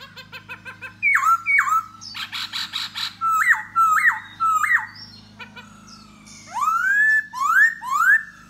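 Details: Laughingthrush singing and dancing to lure a female: pulsed chips, then loud whistled notes that jump upward, buzzy bursts, and rising slurred whistles repeated about every half second, over a steady low hum.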